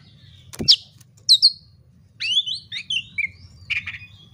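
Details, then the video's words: Oriental magpie-robin song meant to provoke fighting: a sharp click, loud high whistled slurs, then a chain of descending warbled notes and rasping bursts. "pancingan kacer agar tarung"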